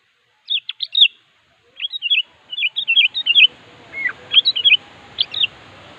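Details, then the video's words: Sooty-headed bulbul singing in challenge to a rival, a string of bright, bubbly whistled phrases with short gaps; a faint hiss of background noise rises in the second half. "Suara Burung Kutilang Gacor Siap memanggil Lawan"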